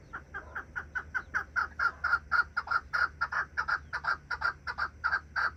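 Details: Captive partridges (keklik) sing from inside their coop on the day they are first let outside, not yet coming out: a steady run of short, clucking chuk notes, three or four a second, mid-pitched, evenly paced, faint low hum behind.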